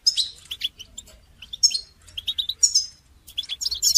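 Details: Goldfinch song for songbird training, a lively stream of high twittering, clipped chirps and short buzzy trills, running almost continuously.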